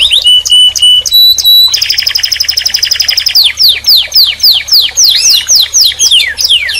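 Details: Canary song: a few steady whistled calls, a dense rapid rattling trill, then a run of loud descending whistled sweeps repeated about twice a second.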